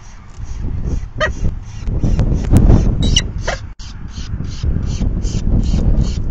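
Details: Nest feeding on May 9, 2020, at 4:40 PM, the fifth of the day, with a falcon begging. A steady stream of rasping high notes, about three per second, is broken by a few louder strained cries over heavy low noise.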